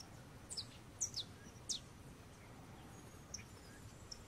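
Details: Long-tailed tyrant (Colonia colonus), also called viuvinha. It gives short, very high, sharp chips that sweep steeply downward, some in quick pairs, spaced irregularly over about two seconds, then a fainter note later, against a steady low background hiss.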